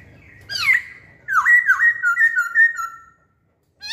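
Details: Masked laughingthrush lure song: one swooping whistle, then a rapid chain of looping, wavering whistled notes lasting about two seconds, clear and loud in a quiet setting.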